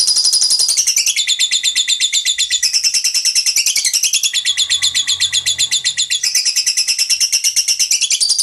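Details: Lovebird singing a long 'ngekek' trill: an unbroken, very fast, high chattering rattle runs for over eight seconds, its pitch dipping and rising in waves, with faint low hum beneath.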